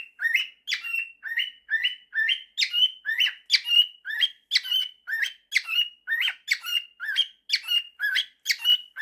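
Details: A male cockatiel whistles a learned mashup of 'September' and 'If you're happy and you know it' in clear, rising phrases of about two to four kilohertz, roughly one per second, with no other sounds.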